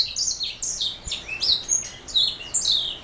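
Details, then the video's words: Canary hybrid called a black throat mule singing short, high, downslurred whistles and twitters in an even stream, roughly three or four notes every second. "Black throat mule"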